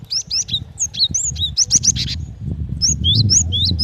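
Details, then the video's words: Rapid whistled upslurs and falling hooked notes from a female cinereous tit calling to a male, broken by harsh buzzy bursts, with steady low background rumble. "Suara gelatik batu betina"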